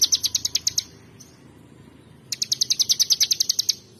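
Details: Bar-winged prinia (ciblek) in gacoor song: a quick volley of shrill repeated chips, over a second of quiet, then a fresh rapid burst of high ringing notes at about eight per second.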